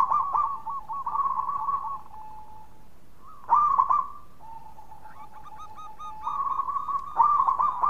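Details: Actively singing local Indonesian zebra dove, its song used to lure other doves: low trilling coos run into drawn-out steady notes, then louder vibrating phrases and a quicker staccato series of short notes.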